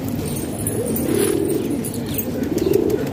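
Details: Domestic pigeons kept in a house in Pakistan: low, soft rolling coos rising and falling in a steady murmur, with faint clicks and background hum.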